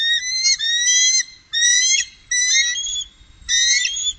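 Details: High, piping chittering from three bald eagles on the Upper Mississippi in 2018: four loud bursts of quick, rising whistled notes, separated by brief pauses.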